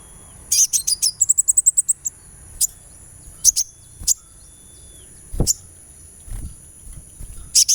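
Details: Sunbird heard on a therapy track for encouraging song: a quick run of very high, thin chips speeding into a brief tinkling trill, then scattered single sharp notes, with a few dull low knocks.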